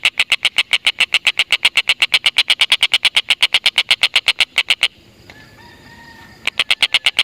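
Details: Native Indonesian stork-billed kingfisher giving a long, rapid cackle of harsh repeated notes. A gap of about a second and a half holds faint steady whistled tones, then the fast cackling starts again.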